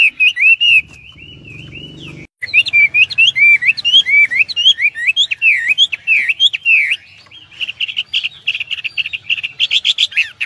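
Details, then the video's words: A Chinese hwamei in full, vigorous song pours out a fast, varied run of loud, slurred whistles, with rising and falling notes tumbling several per second and a faint low hum early on. "wambi \ hwamei gacor"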